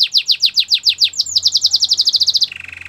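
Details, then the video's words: Belgian canary singing to train other canaries: loud downward strokes about six per second accelerate into a tight fast trill, then drop to a lower, soft, sustained buzz. "Listen to this and your belgian canary will sing a lot !! Canary's training song"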